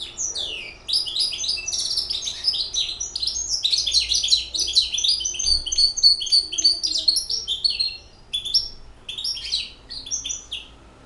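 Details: Six-month-old hybrid European goldfinch in full song: a long, rapid stream of tinkling, twittering high notes and buzzy trills, about three to four elements per second, tapering into scattered chirps.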